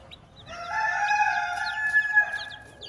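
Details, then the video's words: Farm hen with her chicks giving a drawn-out, tonal, slightly nasal call lasting about two seconds, with brief high chick peeps scattered around it. "Hilda the hen with her chicks"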